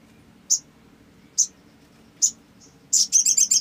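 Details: Olive-backed sunbird used as a lure to prompt other sunbirds to sing: sharp, very high chips spaced nearly a second apart, then a quick run of five or six rapid high notes at the end.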